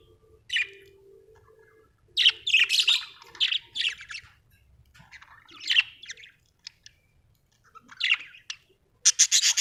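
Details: Pet budgies chattering at home in lively bouts of grating, scratchy chirps and squawks, closely packed and irregular, ending in a loud harsh burst, with a soft low whistle-like tone early on.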